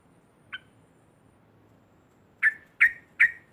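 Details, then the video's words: Loud chatter of a yellow-vented bulbul, used to provoke rivals: a single soft note, a long pause, then three harsh, evenly spaced rasping notes. "ngekek keras sambung narung trucuk lain pasti emosi"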